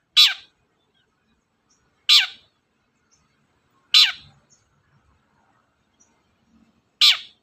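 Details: Long-tailed shrike song used to provoke other birds into singing; loud, harsh, downward-sweeping notes, each short and raspy, repeated about every two seconds with silence between them.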